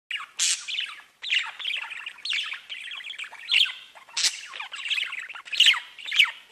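A budgerigar chatters in a fast, scratchy warble of squawks and bright chirps.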